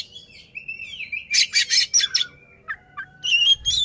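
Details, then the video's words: Oriental magpie-robin performing with open tail to provoke a rival; a slurred whistle, a burst of loud harsh rasping notes, then short thin whistles and a final bright phrase. "KACER NGEPLAY BUKA EKOR BIKIN LAWAN TAMBAH EMOSI"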